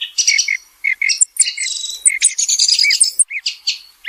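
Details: Song of a thrush, given day and night, as a dense stream of rapid chirps, warbled notes and rising slurs, most of them high, delivered almost without a break.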